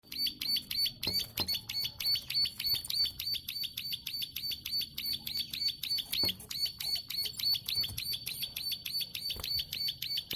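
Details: Plain prinia singing vigorously in a long clicking style: a steady run of sharp, high, ticking notes, about three per second, held throughout with even rhythm; faint low rumble and a few soft knocks in the background.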